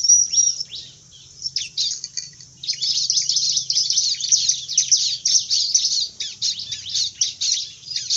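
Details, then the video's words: Bar-winged prinia singing: a thin, high whistle opens, then a short lull, then a long stretch of fast, scratchy, high chirping and chattering phrases. "CIBLEK/CANCILAK GARANG"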